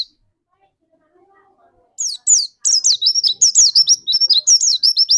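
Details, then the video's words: Captive white-eye from Indonesia, its song played as a lure to set another white-eye singing. After two seconds of quiet, rapid high twittering starts: sharp, thin, downslurred notes in quick runs of about three per second. "burung pleci pancingan"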